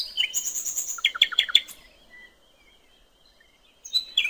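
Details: Common nightingale singing wild on a riverbank: a high whistled opening, then a quick burst of sharp descending notes, a long pause, and a fresh phrase starting near the end.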